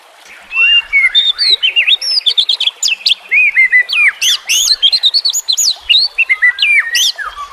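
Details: White-rumped shama (murai batu) song prepared as a training and lure recording for lazy, silent birds, set with nature sounds and trickling water; dense run of varied high whistles, sharp upsweeps and chattering notes tumbling together without pause.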